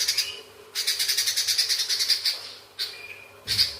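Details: Sooty-headed bulbul in long chattering song, blended with fighting sparrows: an extended harsh, pulsed rattle of quick repeated notes, a pause, then shorter rasping bursts.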